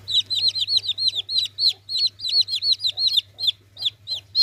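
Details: Chicken chick giving rapid, high, arched peeps, about three per second in an uneven run, each note sliding down at the end, over a steady low electrical hum.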